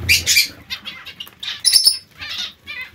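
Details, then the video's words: Colony of zebra finches, many birds giving high, nasal, beeping calls that overlap in quick bursts, some sharper squeaky notes, with a few soft rustles between. "Colonia diamante mandarini"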